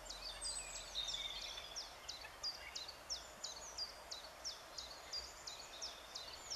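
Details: Eurasian jay in spring, 25 April 2013, murmuring its soft sweet talk: a steady series of short high clicking, chattering notes, roughly one or two per second, throughout.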